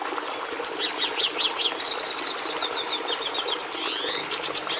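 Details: Red siskin (Carduelis cucullata) singing quick high down-slurred chirps that run into a fast repeated twitter, followed by a wheezy slurred phrase and sharp closing notes.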